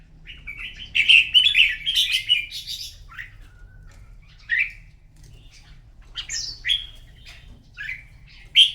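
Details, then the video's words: Red-whiskered bulbul in a morning singing duel: a loud run of rich warbled phrases, then single short whistled notes every second or so, over a faint low hum. "Chào mào hót đấu buổi sáng kích chim hót đấu căng lửa"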